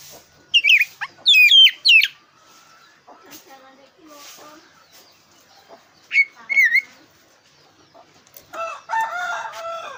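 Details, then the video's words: Black-breasted oriental magpie-robin singing, used to provoke competition birds: sharp whistled high notes in short phrases, then quieter low warbles and a closing burst of rich chattering notes, with pauses between phrases. "Suara burung kacer dada hitam super gacor"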